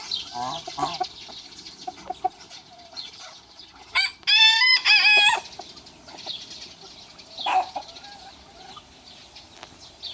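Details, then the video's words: Small rooster against big rooster, crowing to challenge: soft clucking first, then a loud, stepped crow lasting over a second, followed by scattered clucks and a short call. "The Rooster Troublemaker - Small Rooster vs Big Rooster - Funny Chicken Sounds"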